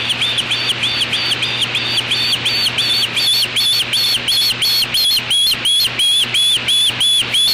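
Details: Juvenile osprey defending its natal nest from an intruder, apparently a black vulture, on 8 August 2013 at 3:15 pm, nest camera; loud rapid series of shrill whistled chirps, about three per second, steady and insistent over hiss.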